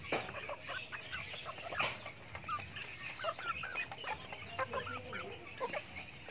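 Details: Backyard farm chickens during their daily routine while eating feed: a busy scatter of soft, short clucks and small murmured notes from several birds, with a few louder, sharper calls at the start.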